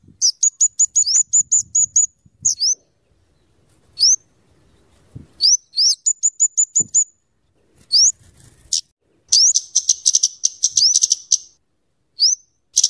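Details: Scarlet-headed flowerpecker, known as kemade, singing a long sequence used for luring and tutoring birds: fast series of high ticks interleaved with rising whistled slurs, a dense chattering passage, and scattered sharp notes.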